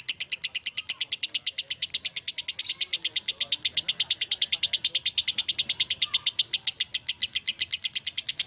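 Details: Continuous ngekek chatter from a lovebird, a fast machine-gun run of shrill rasping notes that never pauses across eight seconds, loudness pulsing slightly, over a soft murmur of background noise.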